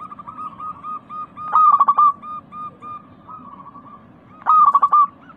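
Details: Local zebra doves, described as lively and in breeding condition with a clear crystal voice, used as a lure to make pet doves sing. A loud trilled cooing burst with stuttered notes, softer level coos between, over steady low hum.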